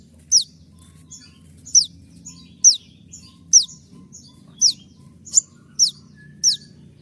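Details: Konin losing its feathers in moult but singing hard, 'tembakan' style for training birds: rapid run of piercing high downward-swept notes, nearly one per second, alternating with quieter short high chirps over low hum.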